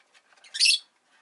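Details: A caged rosy-faced lovebird, one of five kept indoors by a window in winter, letting out a single short rasping squawk rising out of soft chatter.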